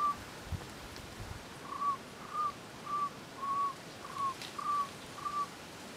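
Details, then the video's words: Singing Cuban trogon of subspecies temnurus, recorded in Alejandro de Humboldt National Park, Cuba, 24 February 2017. About eight brief, soft whistled notes at an even pitch follow each other at uneven intervals, sounding somewhat distant against faint hiss. "Cuban Trogon, Priotelus t. temnurus, singing"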